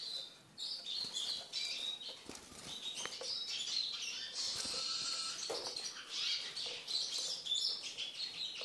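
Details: Caged Eurasian siskin, kept while being tamed to eat from the hand, giving a dense, continuous twittering song of high, fast, buzzy notes and trills with scattered clicks throughout.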